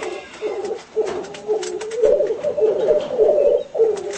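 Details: Black grouse calling during display, filmed as home footage: a continuous low, dove-like bubbling warble in rolling phrases, rising and falling in loudness with brief pauses near one and 3.7 seconds, and faint clicks above.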